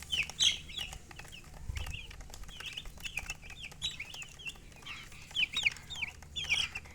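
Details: Several chicks peep in overlapping, softer falling chirps, louder bursts at start and end, with a low thump, clicks and steady background hum.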